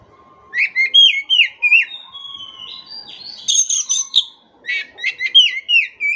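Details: Lively Oriental magpie-robin song, played to coax a bird that has stopped singing: bursts of bright slurred whistles, a drawn-out steady note, then crisp high ticking and trilled phrases repeating about three times a second.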